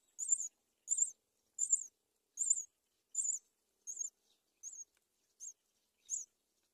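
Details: Myna chicks in a nest on a palm tree as the mother brings locusts to feed them; high, thin, buzzy squeaks repeated in a steady series about every 0.7 seconds, nine calls, fading slightly toward the end.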